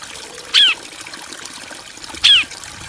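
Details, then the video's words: Two isolated high, sharply downslurred notes from a bar-winged prinia in a male-and-female exchange, separated by nearly two seconds of quiet hiss. "Ciblek betina & Jantan saling nyaut"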